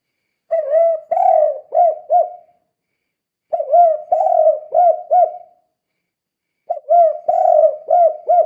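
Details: Spotted dove, used as a lure to stir other doves into calling; gacor style with the 'kuk' ending, three bursts of low, hollow cooing, each a run of about four to five rounded coos with a slight upward lilt, separated by short silences.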